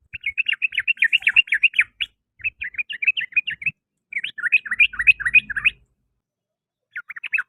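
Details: Afternoon song of a sooty-headed bulbul: long runs of rapid, scratchy, chattering notes, many per second, broken by brief pauses before each new run. A faint low rumble sits underneath.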